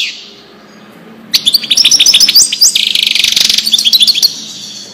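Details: Wedani-style goldfinch song, recorded for tutoring young birds and hybrids. A single sliding note leads into a silent gap, then an outburst of rapid liquid twitters and a sustained buzzy, rattling passage, delivered at high pitch and close range.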